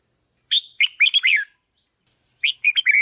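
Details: Red-whiskered bulbul song meant to pump up decoy birds: a loud, quick phrase of rising and dipping whistles, then a second similar phrase after about a second's pause.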